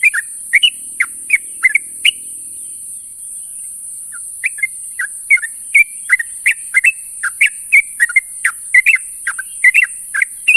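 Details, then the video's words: Sooty-headed bulbul in the morning calling companions: rapid sharp chirped notes, a near-silent stretch with one lone note, then a renewed dense run of up- and down-slurred chirps, all over a high steady hiss. "suara burung trucuk memanggil kawan di pagi hari"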